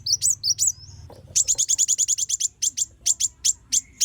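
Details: Van Hasselt's sunbird, vigorous song meant for tutoring songbirds: a few high chirps, then a rapid even string of piercing ticks slowing into spaced notes, with a faint low hum early on.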